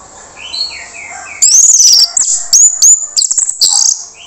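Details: Lure song of a harsh-voiced Orange-headed thrush, meant to make silent birds respond. Soft falling whistles lead into loud, shrill, high-pitched warbling phrases with rapid chattering notes, over a faint steady hiss.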